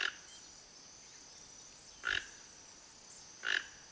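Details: Wild, free-living Toco toucan giving short, hoarse croaking notes, three bursts spaced about one and a half seconds apart, with a steady high-pitched insect-like whine running through the background.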